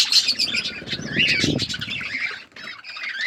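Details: Budgerigars, with chicks growing, give dense, scratchy chattering squawks and short warbled notes in rapid overlapping bursts, with low thumping and rustling around the middle and a brief lull near the end.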